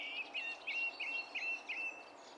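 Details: Song thrush song recorded on 27 April 2016: one bright whistled note repeated six times in quick, even succession, about three per second, over soft background noise.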